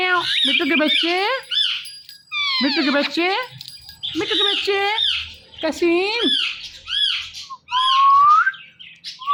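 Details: Indian ringneck parakeet kept as a pet chattering in mimicked words, dense clusters of nasal, wavering syllables in several bursts, ending with a rising whistled note.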